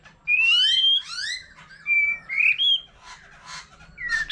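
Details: White-rumped shama, forest-matured and singing in many voices beside a laughingthrush; loud clear rising whistles with buzzy overtones, separated by short pauses, then softer scratchy notes and a final high whistle.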